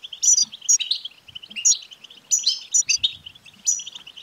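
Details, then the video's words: A European goldfinch twitters busily in song used to spur a male into singing, with sharp high chirps standing out about twice a second over a constant tinkling chatter. "بتبتة لتحفيز الحسون"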